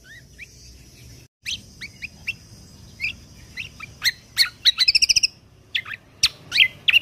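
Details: Lesser green leafbird, 'full tembakan kunti' song used to train contest songbirds. Soft rising whistles start it, building to loud sharp chips and a fast rattling trill, then more emphatic notes.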